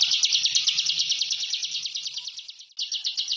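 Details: Bar-winged prinia, locally ciblek, in dense 'ngebren' song: a shrill, quickly pulsed trill that fades briefly, breaks off for a moment, then resumes strongly.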